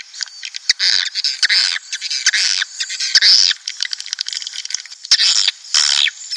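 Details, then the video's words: Chattering swiftlets on a lure track meant to attract colonies into a nest house, 2019 version: bursts of harsh, high twittering squawks, separated by short gaps and sharp ticks. "SP Walet Klimax 2019||Origional Teruji Tarikannya Dahsyat.."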